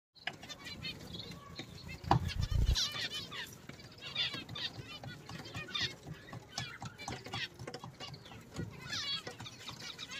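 Zebra finch chicks give rapid, high, wheezy cheeps in a busy, overlapping chorus.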